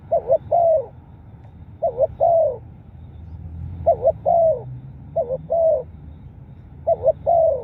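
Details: Lure recording of a spotted dove calling: five mellow phrases, each two clipped coos then a longer, gently falling note, separated by short pauses. A low steady rumble sits underneath.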